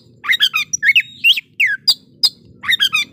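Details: White-rumped shama song used to provoke rival birds into a fighting response, a rapid run of varied whistled and chattering notes with rising and falling slurs, in short bursts separated by brief pauses.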